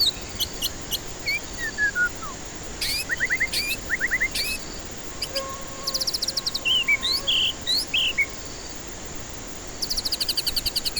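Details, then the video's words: White-rumped shama song as a lure for stressed birds that won't sing. Slurred whistles, short bursts of ascending notes and buzzy rattles recur over several phrases, with a faint low steady tone in the middle. "Pancingan murai batu ampuh cocok untuk pancingan murai batu stres malas bunyi"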